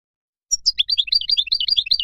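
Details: European goldfinch wild song, played for teaching young birds: after a short silence, a rapid, liquid twitter of high tinkling notes that jump up and down without pause.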